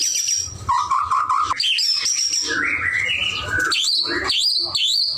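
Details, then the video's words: Gacor song of a White-rumped shama: long, clear sustained whistles at different pitches, a slurred downward note and a rising phrase, ending in quick high whistled flourishes; faint low hum. "murai batu gacor"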